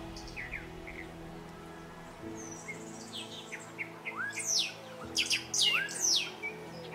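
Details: Young purple-collared oasis hummingbird, its purple feathers just growing in: thin, high squeaky chips and sharp twittering notes building to a quick burst near the end, over a low steady hum that may be music.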